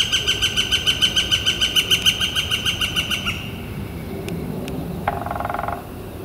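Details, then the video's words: A Northern flicker gives a rapid run of ringing kek notes on a clear, warm spring day, April 28, 2014. The run stops after about three seconds. A couple of clicks and a short lower buzzy burst follow. "Northern Flicker Calling and Drumming"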